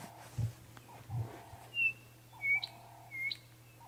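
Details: Chinspot Batis, the breakfast bird, gives three clear, pure whistles, each a little lower, spaced under a second apart, over a low hum and soft thumps, at sunrise on a misty, peaceful morning at Djuma/Arathusa, Africa, 14 May.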